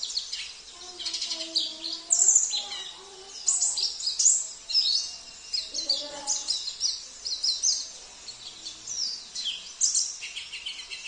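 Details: Sambas oriental white-eye pouring out a busy, high-pitched warbling song with canary, cililin, kapas tembak and jenggot fill-ins. Chattering notes and sharp whistles run continuously. Faint speech-like sounds drift low in the background.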